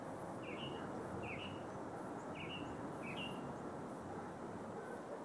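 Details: Mockingbird in a neighbor's tree some 50 yards off, singing early in the morning: four similar short warbled phrases spaced about one second apart, with faint background hiss and distant rumble.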